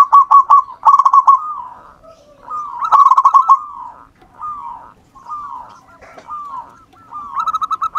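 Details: Local wild zebra dove used as a lure sings soft, rolling cooing phrases around a kilohertz, each a quick staccato run trailing into a slurred coo, repeated every second or two.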